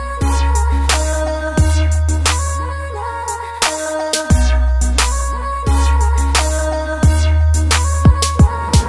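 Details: Continuous electronic hip-hop style music with deep bass pulses, steady beats and bright percussion throughout, with no animal calls.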